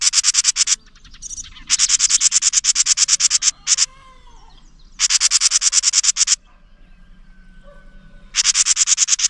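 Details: An angry house wren beside its nest gives long rattling strings of evenly pulsed rasping notes in three bouts separated by pauses. Faint quieter calls fill the gaps.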